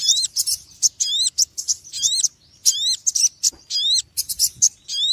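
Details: Shrill, rapid chirping of a small, noisy bird, with sharp rising-falling notes repeated in tight bursts and short pauses between them.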